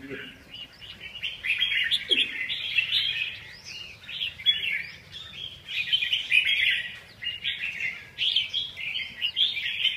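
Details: Red-whiskered bulbul delivering a lively, bubbling song of rapid whistled and chirping phrases, rising and falling in short bursts over about ten seconds, after a quiet opening with a brief low knock.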